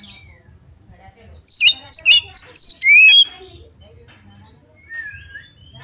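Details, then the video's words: Oriental magpie-robin song used to provoke an opponent to fight: a quiet start, then a loud, fast cluster of sharp high whistled notes, followed by softer trailing whistles over a faint low rumble. "pancingan kacer tarung cari lawan"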